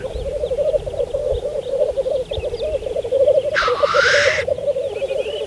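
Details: Black grouse lekking in spring 2014 on Saaremaa. A busy, continuous bubbling coo, with one loud hissing sneeze lasting nearly a second part way through.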